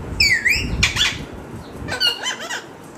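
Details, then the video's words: Parrot vocalising indoors in a small room: a sweeping whistled squawk falling then rising, a harsh burst near one second, then a run of wavering nasal notes, each high-pitched and clear over low background rumble. "Raw parrot talking video talking parrot !!"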